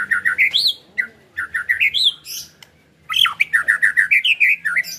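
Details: White-rumped shama song used to stimulate a caged bird to sing: rapid series of short, rich whistled notes repeated in quick runs, with rising slurred phrases and a brief pause midway.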